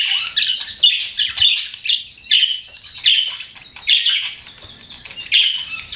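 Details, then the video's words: Pet budgerigars chirping: bursts of harsh, buzzy squawking warble separated by short quieter pauses, about one burst per second. "CUTE PET BUDGIES CHIRPING"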